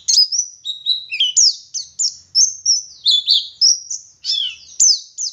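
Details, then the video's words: Oriental white-eye, a local West Java bird from Garut, in lively full song: high thin whistled notes and sliding chirps, rapid twittering phrases with quick rises and falls, bursts repeating about every second. "Burung Pleci Gacor Ngalas Wit Wit Sambung Ngeriwik Full Isian"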